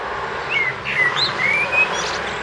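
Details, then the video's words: Eurasian blackbird song from a front garden next to a street, 29 March 2014; several mellow whistled slurs and higher twittering notes in quick succession over low background noise. "Amsel singt vor dem Fenster"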